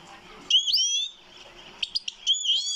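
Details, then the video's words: A goldfinch singing: two bright, liquid twittering phrases with fast rising and falling whistled notes, separated by a short pause with a few clicks. "Goldfinch singing like a boss"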